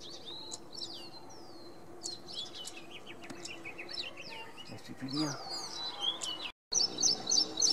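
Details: Ashy prinia singing, recorded on April 3, 2022 with a Panasonic FZ-70: high, thin whistled and chirping notes sliding up and down, given in quick repeated bursts, ending in a fast run of sharp repeated notes over faint background noise.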